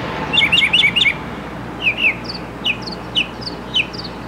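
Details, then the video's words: Mockingbird running off a fast string of sharp slurred chirps, then slower spaced single whistled notes at different pitches, each clear and brief. "Mockingbird in Concert!"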